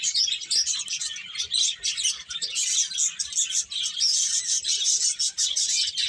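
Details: Many small birds chirping together in a dense, continuous chorus of high, rapid tweets and twitters, with short bright notes overlapping throughout and no clear pauses.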